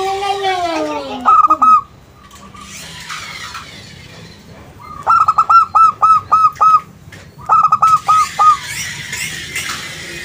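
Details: Local zebra dove gives its lure song to provoke replies: after mixed bird sounds, two strong phrases of rapid, evenly spaced staccato coos with downward-dropping ends, with noisy background chatter.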